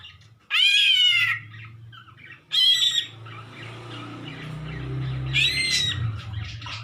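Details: Strange calls of a greater green leafbird: loud, harsh squawking bursts with strong harmonics, three outbursts spaced about two seconds apart, over a steady low hum and faint background chatter.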